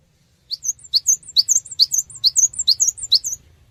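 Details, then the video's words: Cinereous tit song used as a lure to prompt quick responses from other birds: a fast series of about a dozen sharp, high, slurred two-part notes, repeated steadily for three seconds against a faint low hum. "Pancingan Suara Burung Gelatik Batu Cepat Respon"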